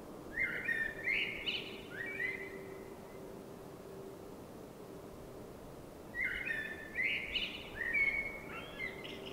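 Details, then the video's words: Common blackbird's nighttime song in springtime: two bursts of rich, fluty warbled phrases mixed with higher twittering notes, separated by about four seconds of quiet, with a steady low hum underneath throughout. "Blackbird Singing🎶 | Sound of a Blackbird"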